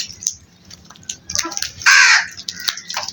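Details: Crows from a flock: one loud, harsh, drawn-out caw dominates midway, surrounded by fainter scattered clicks and short calls against a low background hum.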